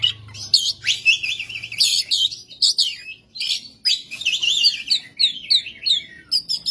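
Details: Oriental magpie-robin, kacer, in vigorous 'ngebyak gacor' singing: dense chattering phrases of harsh rattles and zigzag warbles, repeated in quick bursts across the stretch, with a low hum at the start.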